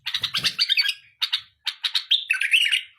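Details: A tame bulbul in song, pouring out dense chattering notes, then short clipped chirps separated by brief pauses, ending in a bright, rolling warble.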